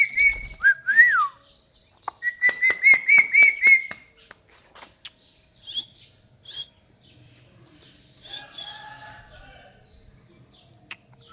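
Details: Talking, dancing parrot giving short whistled glides, then a fast burst of rich harmonic chirps repeated about five times, followed by scattered faint clicks, chirps and soft room noise.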